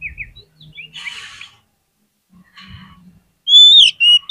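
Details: Oriental magpie-robin singing, used as a lure to make sluggish birds call back fast: soft scratchy chatter first, then a loud run of clear, high whistled notes that slide downward near the end.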